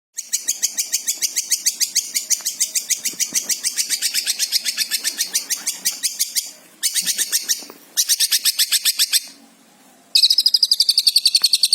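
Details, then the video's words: Long-tailed shrike (cendet) from Java, a lively 'gacor' singer in 'full isian' style. Rapid sharp high chips repeat about three to four per second in long runs with short pauses, then a rising whistled trill at the end. "cendet Jawa gacor full isian"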